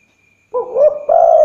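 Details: Spotted dove calling at night, recorded as a lure sound: a short cooing phrase of a low rising note followed by a longer, louder, slightly wavering coo, over a faint steady high whine.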